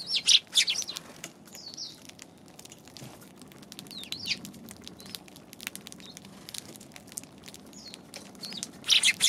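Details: Eurasian tree sparrows on January 11: bursts of sharp, high chirps at the start and again at the end, with scattered ticks and soft pattering between them.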